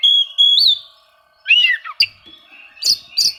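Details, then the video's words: Challenging song of an Oriental magpie-robin, used to goad quiet birds into singing: a long pure whistled note rising at its end, then a pause, a warbled phrase and scratchy chips. "suara kacer mencari musuh, cocok untuk memancing kacer susah bunyi."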